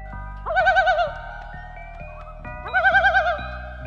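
Common Loon giving two quavering, wavering tremolo calls, each about half a second long, separated by a pause, over a soft musical backing.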